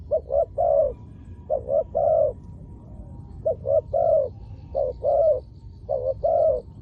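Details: Spotted dove cooing to lure wild doves down to the ground. Five phrases, each made of two quick short notes and a fuller, drawn-out coo, with gaps of roughly half a second. Faint high chirps in the background.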